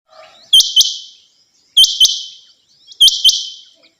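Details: A female Rain quail gives sharp, high, metallic double notes, three pairs spaced a little over a second apart, with a faint low chatter before the first.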